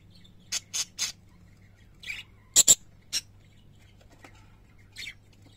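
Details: Pet parakeets give short, sharp chirps in quick clusters, three close together, then scattered single notes with gaps between them; a steady low hum runs underneath.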